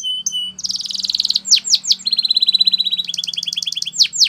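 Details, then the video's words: Belgian canary training song, varied high phrases: a brief whistled note, a fast buzzy roll, sharp downward-swooping notes, then further rapid trills at slightly lower pitch, with clear swoops between them. "The Singing Belgian Canary | Canary Training Is Effective"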